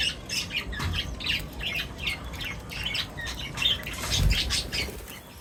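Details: Birds feeding together close up, with a steady stream of short, busy chirps over a low rumbling background and a few muffled thumps.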